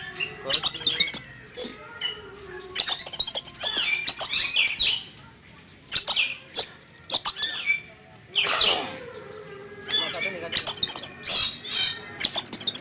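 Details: Caged Oriental magpie-robin put out in a yard in the morning, noisy and agitated after seeing an eagle overhead; repeated harsh squawks, rasping bursts and high whistles in quick clusters, a man talking faintly.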